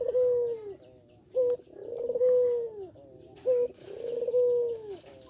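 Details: Barbary dove, a young bird newly learning to coo, repeats a short clipped note followed by a long rounded coo that rises slightly and falls away, roughly every two seconds, with a steady rhythm.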